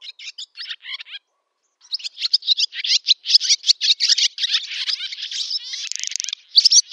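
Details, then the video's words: Barn swallow in summer, Zamoshye village, Novgorod oblast, Russia, 8 August 2013: twittering phrases, a short pause, then a long, rapid, energetic warble with a buzzy trill. "Ласточка-касатка, или деревенская ласточка Hirundo rustica, летняя песня / Barn swallow song"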